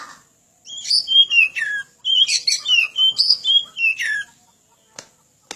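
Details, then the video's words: Oriental magpie-robin (kacer) training song: a fast, lively string of whistled notes, many sliding downward, in two connected phrases, followed by two sharp clicks. "Suara panjingan masteran burung kacer gacor"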